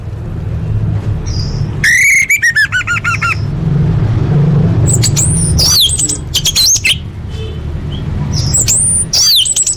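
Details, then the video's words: Orange-headed thrush, a master training song packed with varied fill-in phrases for big contests and elite practice events: a rapid run of repeated notes, then high whistled sweeps after pauses, over a steady low hum. "Masteran Anis Merah Full Isian untuk Lomba Besar & Latber Elite"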